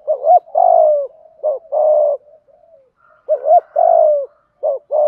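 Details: Malaysian spotted dove performing thúc gù cooing: repeated phrases of a short stuttered double note followed by a long, full, slightly descending coo. Quieter murmuring notes fill a pause midway through.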